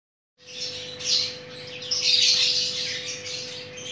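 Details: Chattering lories (Lorius garrulus) during mating give harsh, raspy screeches in two or three rough bursts over a few seconds, with a steady low electrical hum behind.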